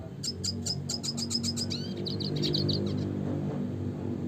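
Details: Red siskin classic song: a fast run of bright chirps about four per second slides into a rolling high twitter, with steady low droning underneath.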